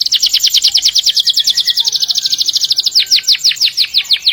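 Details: Canary song meant to train canaries and other birds: a long continuous roll of rapid, evenly repeated high chirping notes, slowing slightly into broader descending strokes near the end.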